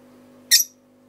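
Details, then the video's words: Lovebird in a small room letting out a single short, harsh high squawk, over a steady low mains hum. "The love bird song"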